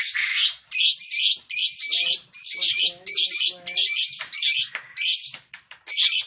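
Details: Lovebird in a continuous shrill chatter with koek and ngetik sounds, used to stimulate other lovebirds to sing: dense, harsh high-pitched bursts follow one another almost without a break, and faint low tones sit beneath.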